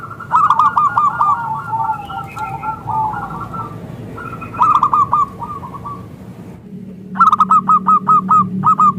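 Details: Local zebra dove calling as a lure to draw replies from other zebra doves; trilled coo series, a softer middle run, then loud evenly spaced coos at the end over low rumble.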